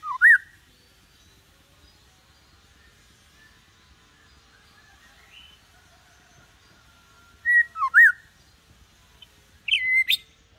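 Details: White-rumped shama tutor song played to help young birds start singing like adults, the singer kept calm and unaggressive; brief sharp whistled notes near the start, then long quiet, then a cluster of rising whistles and a final upswept phrase.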